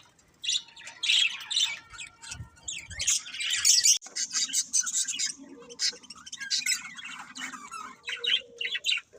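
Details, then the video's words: Pet budgerigars chirping: dense bursts of high, scratchy warbling and squeaky chatter, overlapping and continuous, with brief pauses between loud flurries. "Beautiful Budgies Chirping Sounds"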